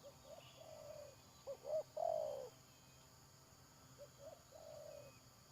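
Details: Trapping scene with a decoy spotted dove, 31 May 2022. Soft coo phrase, a loud close phrase of quick hooked notes and a falling croon, then another soft distant phrase answering.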